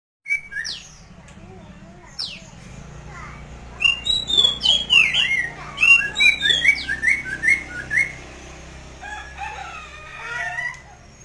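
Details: Masked laughingthrush in vigorous, chatty song: a rapid, uneven run of loud whistled notes, slurs and short chirps. The burst is densest in the middle and softer at the start and end, over a faint low hum.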